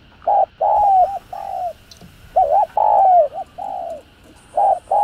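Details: Cooing of a spotted dove in the thúc gù style for provoking decoy doves: short twin hoots followed by drawn-out, gently descending coos, phrases separated by brief pauses, steady low pitch throughout.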